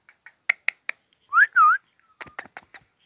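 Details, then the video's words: Talking green rose-ringed parakeet kept as a pet: a few sharp clicks, then two loud whistled notes that rise and fall, followed by quick chattering clicks. "Talking indian Parrot🦜 || Green Ringneck Parakeet"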